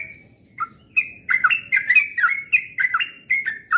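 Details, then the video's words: At dawn, a yellow-vented bulbul delivers ropel-style song, a quick chain of bright, gurgling whistles that rise and drop, with a thin constant high tone behind. "Trucukan Ropel Subuh suaranya merdu sekali"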